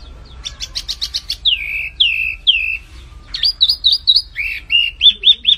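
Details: Lively flamboyan birdsong opens with a fast buzzy trill, then three drawn-out downward whistles, followed by a jumble of rapid high chirps and repeated slurred notes; background stays quiet.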